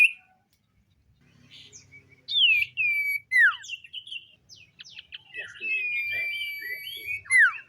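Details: Morning song of the common iora: loud downslurred whistles, then a jumble of quick chirps over a sustained steady whistle, closing with another falling note.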